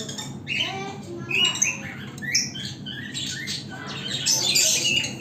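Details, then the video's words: Baby green opaline lovebird in an aviary, giving rapid, scratchy squawks and thin rising chirps in overlapping bursts, busy and continuous throughout, with a low indoor hum beneath. "Green opaline lovebird baby"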